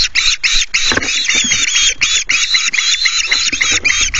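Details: Ospreys at a nest at Loch Garten screeching to chase an intruding osprey away from the nest: loud harsh calls repeated several times a second in an unbroken frantic series.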